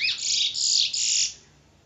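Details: Short, loud bullfinch phrase from Trinidad, a dense high buzzy warble in three quick pulses.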